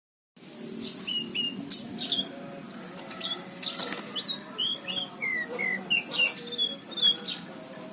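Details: Orange-headed thrush singing actively, recorded in 2019 around Cirebon: a fast, varied run of high, sharp whistled notes and slurred, falling phrases with chirps mixed in, over a low steady hum.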